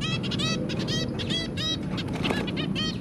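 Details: Caged zebra finch pair with three babies, giving rapid nasal, trumpet-like calls with rich harmonics in a dense overlapping series, over a steady background hum.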